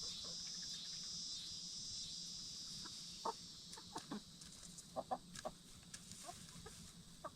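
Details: Black Star and Bielefelder hens in a movable chicken tractor at nightfall, scattered short clucks growing more frequent in the second half beneath a continuous high insect-like drone.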